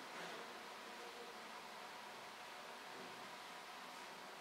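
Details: Steady broadband hiss and room noise, like a fan or air conditioner, with no animal voice.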